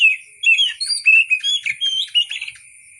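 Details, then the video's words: Oriental magpie-robin pouring out rapid whistled phrases, upslurs and warbles in a dense, varied sequence, sounding as in the wild, over steady thin background tones. "KICAU BURUNG KACER SUARA ASLI KAYAK DI ALAM LIAR"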